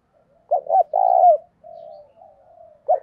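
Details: Decoy spotted dove calling to provoke a fight: two short coos and a long drawn coo, then a quiet murmured note and the start of another phrase.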